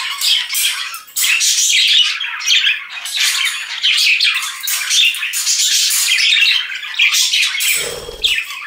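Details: Pet budgerigar kept indoors, heard across years of home recordings: a continuous, harsh, scratchy chatter of squawks and rapid warbling, packed densely in the high register with almost no pauses; a brief low thump near the end.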